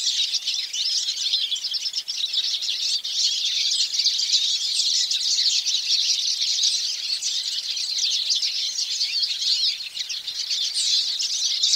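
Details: Hooded siskins (Spinus magellanicus) in dense, unbroken twittering song, high and rapid, with many chirps and trills overlapping as if several birds sing together.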